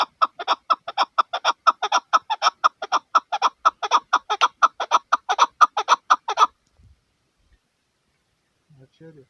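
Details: Female chukar partridge giving a fast series of harsh clucking notes, about two per second, steady for six seconds before stopping abruptly into silence.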